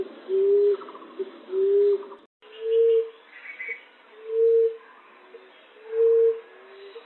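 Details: Trapping lure aimed at green-winged pigeon, zebra dove and ground pigeon: soft, even, low hooted tones repeated at unhurried intervals, broken by a brief silent splice.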